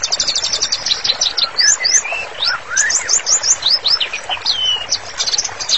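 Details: Gacor white-rumped shama song meant as a training master for therapy: opens with a fast high trill, then loud rising and falling whistled slurs, one longer down-swept whistle, and closing rapid twitters.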